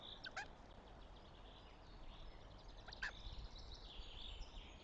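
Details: Northern goshawk at the nest, Tartu, Estonia, 6 May 2025: two short harsh calls about two and a half seconds apart, with background songbird twittering.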